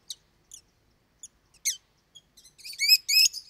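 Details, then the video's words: Pet lovebird parrots, noted as loud and frequent callers, giving a sequence of short high chirps that build into rapid harmonic, wavering squeaks toward the end; no other sounds. "Как поёт неразлучник"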